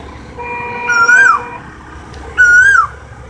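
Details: Asian koel giving two loud whistled notes about one and a half seconds apart, each level then rising and dropping at the end, with a steady humming tone underneath the first note.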